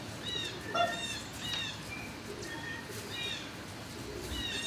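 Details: Barn-housed turkeys on 26 March 2019 around noon give scattered high, thin chirps and a short lower squawk, several birds overlapping, with a continuous low rumbling hum of the building in the background.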